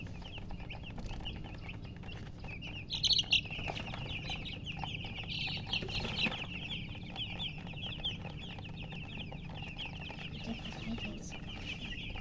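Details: Newly hatched chicken chicks chirping loudly: a dense, continuous chorus of high, quick peeps, many overlapping, with one brief louder burst near three seconds over a low background hum.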